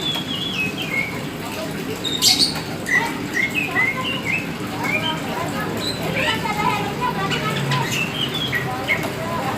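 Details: Black Oriental magpie-robin, kacer hitam, a hobby bird in full, lively song: varied clear whistled phrases, slurred rising and falling notes and short trills following one another with brief gaps, over steady low background hum.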